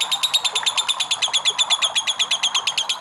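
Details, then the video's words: Lovebird giving a long ngekek, a trill used to stir other lovebirds into singing: rapid, evenly pulsed, shrill chattering notes about three per second, metallic and high, with no other sounds. "LOVE BIRD NGEKEK PANJANG"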